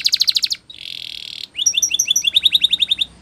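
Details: Spanish Timbrado canary, a champion singer for training, gives a fast pulsed trill, a smooth sustained buzzing roll, then a lively chain of short rising chirps repeated several times per second.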